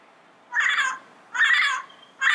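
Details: Three loud, coarse squawks from a wild yellow-headed parrot, spaced about three quarters of a second apart, each harsh and nasal with a grating harmonic quality.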